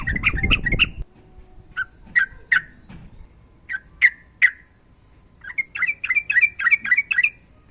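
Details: Yellow-vented bulbul, female calling male, fighter-type singer with long ropel trills, recorded as a master for slow-singing birds. Low rumbling at the start, then loud sharp chirps spaced about half a second apart, ending in a rapid bubbling chatter.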